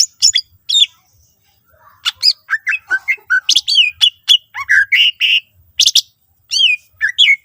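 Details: Energetic greater green leafbird song meant to spur other leafbirds into singing: a rapid run of varied whistles, rising and falling slurs and harsh squawky notes, delivered in tight, loud phrases.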